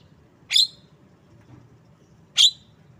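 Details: A Javan myna utters two harsh, sharp chirps roughly two seconds apart; otherwise quiet apart from low background murmur.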